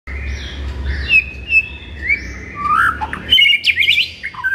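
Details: White-rumped shama song in the morning, used as a master recording to rouse a kept shama: varied whistled phrases, slurred notes and a quick rising trill near the end, over low background hum.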